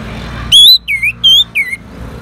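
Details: Orange-headed thrush responding to a lure: four loud whistled notes, the first long and slightly rising, then shorter dipping and level whistles.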